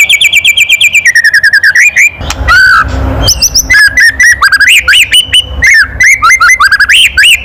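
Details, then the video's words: Loud kretekan of the white-rumped shama, used to rile other birds into singing: a long level whistle, then a brief noisy burst, then a rapid string of chirpy, upslurred and downslurred notes. "SUARA KRETEKAN MURAI BATU KERAS MEMANCING EMOSI"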